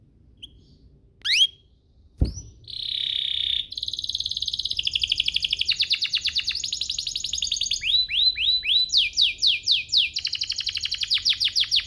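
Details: Canary singing to provoke other canaries: after a few scattered notes and a sharp click, a buzzy phrase leads into long fast trills and rhythmic series of down-swept notes.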